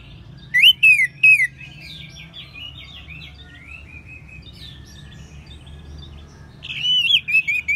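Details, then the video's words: Orange-headed thrush, North Bali, sung as a training sound for other birds: three wavy whistles, a long soft rambling twitter, then more loud whistled notes at the end. "ANIS MERAH SAUARANYA MANTAP 99% SEBAGAI MASTERAN DAN PANCINGAN BURUNG NGEPLONG"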